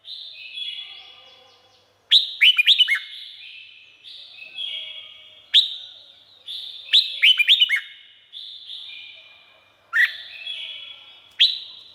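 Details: Red-whiskered bulbul from Thailand singing short bubbly whistled phrases that jump between mid and high pitch. There are about five bursts over twelve seconds, each trailing into a long ringing echo.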